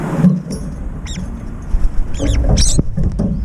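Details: Multiple brown-eared bulbuls at a feeder quarrel over the food bowl in flight. Sporadic shrill, buzzy squeaks, paired and overlapping, amid rumbling noise and flutter-like thumps.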